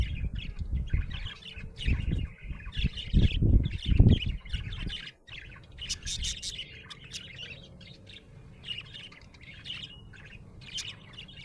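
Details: Happy budgie chirping: continuous chattering warble of short, scratchy high chirps, with loud low thumps and rustling through the first five seconds, then quieter chatter.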